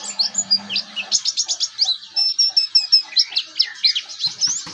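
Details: A young oriental white-eye practises ngeriwik for use as a tutor song: a brisk run of evenly spaced, sharp high chips, then a thin sustained whistle and more jumbled twitters. A low hum sounds at the start.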